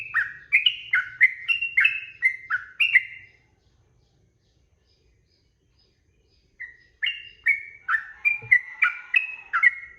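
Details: Sooty-headed bulbul in rapid 'ropel' song used to tutor cage birds. Quick bubbly phrases of alternating high and lower warbled notes run for three seconds, stop for about three seconds, then resume at the same brisk pace.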